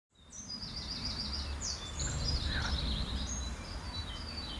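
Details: Sparrows bathing at the Roman ruins of Vidy on 16 June 2013; rapid high chirps and trilled twitters from several birds over steady low background rumble.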